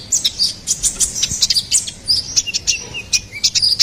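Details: Energetic gacor song of a ruby-cheeked sunbird (konin kolibri ninja): bursts of shrill, high twittering followed by spaced single tweets, with an occasional lower, brief whistled note.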